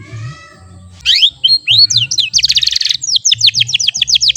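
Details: Juvenile AF canary practising song after its early twittering stage: after a quiet start, rapid upward-sweeping whistles, a short harsh buzz, then a quick series of repeated falling chirps.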